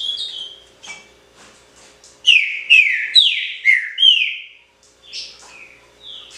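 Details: Green-winged Saltator (trinca-ferro, pixarro) singing: a few faint soft notes, then a run of five loud, clear whistled slurs, each dropping from high to lower pitch, about two per second, over a faint steady low hum.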